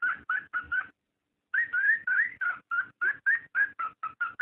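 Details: Cockatiel mating call meant to encourage breeding; a quick string of short, clear whistled notes, several rising or wavering, after a brief opening burst and a half-second gap.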